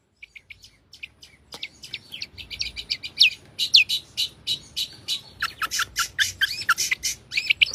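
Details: Long-tailed shrike singing a rich fill-in song: soft scattered chirps build into a busy, varied stream of sharp whistled sweeps, scratchy notes and rapid high chips that grows louder and denser.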